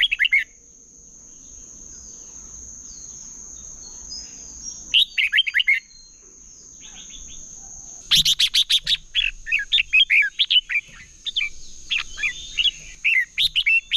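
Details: Red-whiskered bulbul singing competitively in a lure recording for training birds: short warbled phrases early on, then from the midpoint a dense, rapid run of chirpy, bubbling notes repeated again and again, with a steady high whine behind.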